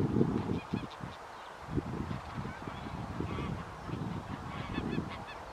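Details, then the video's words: Tundra bean goose at Wimpole Hall, Cambridgeshire, on 17 December 2020, giving low, nasal honking calls in short bursts, with other goose calls and a steady low rumble of wind or traffic behind. "Tundra Bean Goose"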